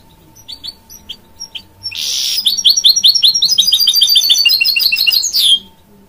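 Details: A goldfinch-canary hybrid (mule) gives a few soft, spaced chirps. Then comes a loud, rapid, buzzy trill of repeated high notes lasting about three and a half seconds before stopping abruptly.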